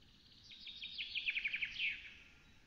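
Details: Black stork chicks at a nest in Hungary beg as a parent arrives and feeds them on 8 May 2017 at 13:33. Thin, high chirps build into a quick run of about ten pulsing notes over a steady low rumble.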